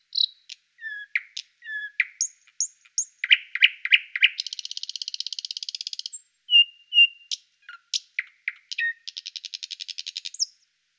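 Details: Thrush nightingale in full song: clipped whistles and chacking notes build into a fast, mechanical rattle, a pause, then more varied piping phrases ending in a second rattling trill. Quiet, clean background.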